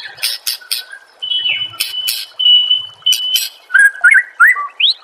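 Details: White-rumped shama singing as training material for caged birds; sharp chips alternate with long level whistles, ending in fast rising and falling whistled slurs.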